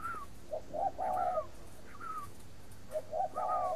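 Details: Spotted dove kept and bred in captivity in Ba Vì, Hanoi, Vietnam. It coos in low three-part phrases, two quick notes and then a long held one, twice over. Thinner, slurred, falling whistles come in between.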